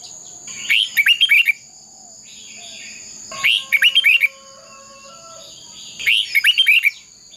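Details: Fighting song of a red-whiskered bulbul used in training: the same short warbled phrase of five or six bright notes repeated three times, roughly every two and a half seconds, with quiet between.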